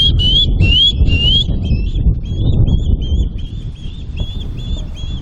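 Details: Agitated osprey by a river in Northern Ontario's Arctic watershed, perhaps reacting to a canoeist close to its nest; rapid high whistled chirps, loud and rising at first, then fading into quicker softer notes over steady rushing water.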